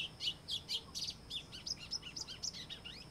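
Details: White-throated seedeater (Sporophila albogularis), known in Brazil as golinho, singing a fast, varied run of high chirps and short slurred whistles, rising and falling notes packed several per second, over faint low background noise.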